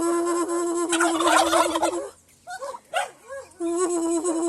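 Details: Domestic turkey in Aratoca, Colombia, answering its owner, who communicates with the flock: a steady droning tone, then a loud rattling gobble burst, then a few short arched notes before the drone returns.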